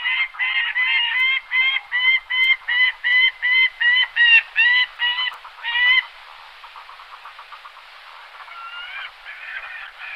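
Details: Gyrfalcon (Falco rusticolus), largest falcon, of tundra, forest-tundra and northern rocky coasts, giving a loud, harsh, repeated call, about two to three notes a second for six seconds, then softer chatter and a few rising notes.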